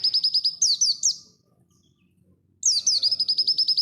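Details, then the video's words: Caged white-eye (pleci) singing in the dakun style at full speed, a training recording for cage birds: very fast, high, thin whistled notes, then a few downslurred notes, a pause of over a second, then the rapid stream resumes. "Masteran burung pleci dakun full speed"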